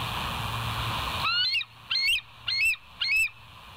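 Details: Bald eagles at the West End nest, 02:31 on 09/11/2023, filmed by a live wildlife cam: a rising thin whistle followed by four sharp, high, stuttering chirps spaced about half a second, with background hiss.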